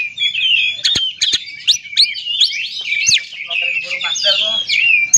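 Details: Oriental magpie-robin song meant to provoke other magpie-robins to sing, made of fluid whistled phrases, sharp upward sweeps and short clicks, delivered continuously with varied, mimic-like notes.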